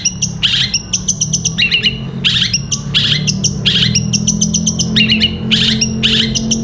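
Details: Caged long-tailed shrike singing gereja petir style song for training other birds: rapid clusters of high ticking chirps and short harsh notes repeated about every second over a steady low hum.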